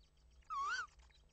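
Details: Tawny owl at night on 25 March 2015 at 21:20, a male bringing a mouse; one clear, tonal, slightly wavering note that dips and then rises, lasting under half a second, over a steady low hum.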